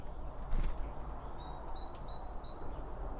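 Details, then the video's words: A string of short, high, evenly spaced chirps from birds at a feeder, recorded binaurally right beside the seed, with a soft thump early on and a persistent low rumble. "BIRD FEEDING SOUNDS"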